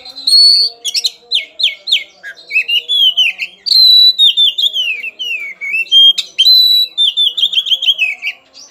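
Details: Emotional, aggressive Oriental magpie-robin searching for an opponent pours out a long varied song: sharp descending whistles, rapid stuttering notes and loud rolling trills in near-continuous bursts, with a faint low hum behind.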